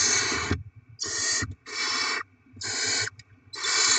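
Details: Nesting barn owls during rodent deliveries to chicks, 7 February 2024: breathy rasping hisses of roughly half a second, about one per second, with soft thumps between them.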